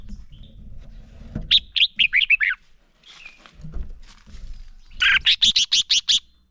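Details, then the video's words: Red-whiskered bulbul, a male, singing to stimulate other bulbuls: a falling run of sweet warbled notes, a pause with low thumps, then a fast burst of about six sharp, even chirps. "Chào Mào Hót - Chào Mào Kích Trống Lên Lửa, Kích Chim Sổ Giọng Hót Sáng. Luyện Chào Mào Hót Đấu Căng"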